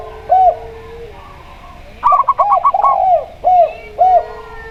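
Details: Clear-voiced local zebra dove heard with a spotted dove: isolated rounded coos, then a burst of fast staccato notes tangled with deeper arched coos, followed by two more single coos.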